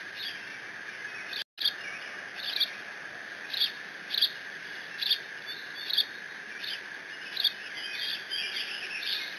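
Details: Bald eagle eaglet alone in the Decorah nest, 30 June 2017, squeeing over a fish from its father; a brief silent gap, then evenly spaced shrill notes roughly every 0.8 seconds, with an ongoing hum.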